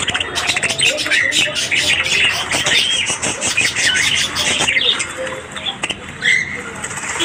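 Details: Budgerigars, called Australian budgies, chattering in the morning: quick scratchy chirps and clicks from several birds, interrupted by a brief quieter gap and a few short whistled notes late on.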